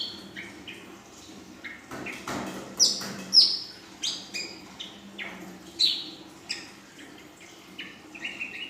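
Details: Young female ashy drongo singing in the full isian style, whose song includes nembak panjang and belalang emas phrases: scattered sharp chirps, quick downslurred whistles and short buzzy notes at irregular intervals over faint water-like background noise.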